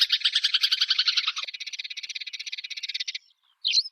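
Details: Eurasian tree sparrow in a songbird training recording: a dense, rapid rattling chatter lasting about three seconds, then a short pause and one sharp high chirp at the end.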